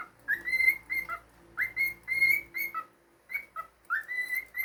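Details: Pet cockatiel whistling a melody indoors: loud, clear phrases of upswept and level notes with short drops, repeated about three times, with a faint hum in the room.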